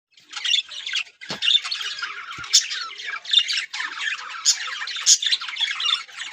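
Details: Colony of yellow budgerigars breeding and laying eggs: dense, continuous high chattering and squawking from many birds, broken by short gaps, with a few brief low knocks.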